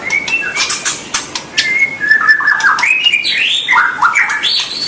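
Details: White-rumped shama song for encouraging young birds to sing. Sharp clicks open the phrase, followed by sustained whistled notes that step up and down in pitch, rising toward the end.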